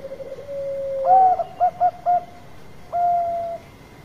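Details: Zebra dove lure song: low cooing that swells into three short rhythmic pulsed notes and a sustained mellow coo, with a constant faint hum behind.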